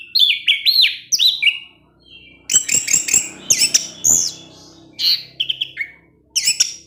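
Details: Orange-headed thrush evening song that provokes other thrushes: looping whistled notes and rich warbled phrases in bursts, separated by short pauses, with crisp clicks.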